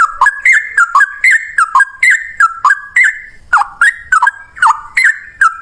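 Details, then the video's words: Rapid, energetic 'ropel' song of a yellow-vented bulbul, delivered in one long breath at high volume: clear whistled slurs bending down then up, repeated in an unbroken chain with slight pauses near the middle. "Burung trucukan gacor ropel 1 nafas panjang volume cucak rowo"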